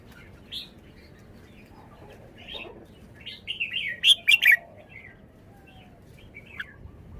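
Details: Red-whiskered bulbul performing its song style: scattered short chirps build into a run of loud, rich warbled notes in the middle, then trail off into a few sparse calls over faint background noise.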